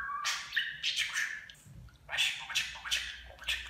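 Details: Pet budgerigar talking, mimicking Turkish speech phrases such as affectionate words; high, buzzy, speech-like syllables in quick bursts, with a short whistled note at the start and a pause midway.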